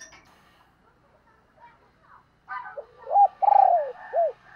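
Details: Decoy spotted dove cooing to draw in wild doves. After a quiet, scratchy start, a burst of noise leads into a short coo, a long sustained coo and a falling final note.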